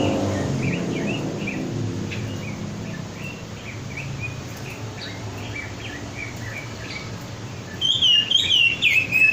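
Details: Red-billed leiothrix (Leiothrix lutea) in a lure recording giving quick, high chirps and short whistled phrases, ending in a louder warbling burst; low background hum throughout.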